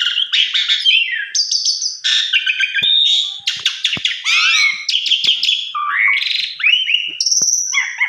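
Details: Energetic Javan pied starling song used as a lure, packed with fills: dense harsh chatter and rasping bursts alternating with clear whistles, slurred descending notes and a high sustained whistle near the end.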